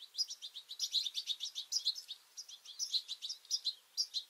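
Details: Feisty European goldfinches, juveniles among them, fighting over a two-port feeder give a continuous stream of high, liquid twittering chirps, rapid and uneven, with brief louder notes throughout.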